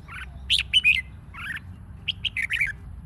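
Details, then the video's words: Red-whiskered bulbul singing to stimulate rival singing in training; rapid chattering, warbled phrases of bright rising and falling notes in two dense bursts, low hum beneath. "Chào mào mồi hót | Kích chào mào hót đấu"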